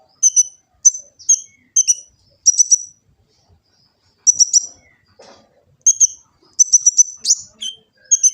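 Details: Sunbird (kolibri ninja) full song recorded on an Android phone in Gresik, East Java, used as master song for training birds: short bursts of high, sharp, metallic chirps, often doubled or tripled, separated by brief pauses.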